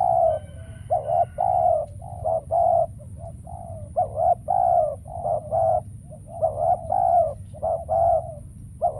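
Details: Spotted dove decoy calling during trapping: dense, overlapping hollow coos, some clipped and some drawn out, tumbling one after another with uneven rhythm; a faint thin chirping appears near the start over a low droning background.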